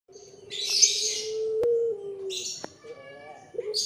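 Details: Young puter pelung Barbary doves, calling busily once fed. A long, steady, low coo holds for about two seconds, then a shorter one follows. Loud bursts of high, rasping chirps from other birds break in above it.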